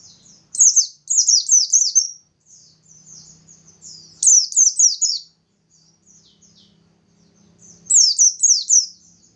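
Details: Singing Bustomi white-eye, a lure meant to make other white-eyes sing quickly. Three separate bursts, each of four or five loud, high, down-slurred whistles, come roughly every four seconds. Soft twittering fills the gaps, with faint low background hum.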